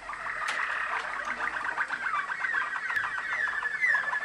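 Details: Waterslager canary of champion ancestry, bred in Macedonia, pouring out a fast, water-like warbling roll with sliding notes, punctuated by occasional sharp clicks.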